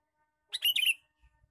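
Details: Male sooty-headed bulbul lure call, one rich bubbly half-second phrase of tumbling notes, followed by a couple of soft low thumps.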